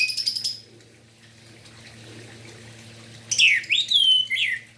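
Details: Orange-headed thrush singing in the morning to prompt other orange-headed thrushes to sing: a short high rattle, a silent stretch, then a loud phrase of dipping, slurred whistles.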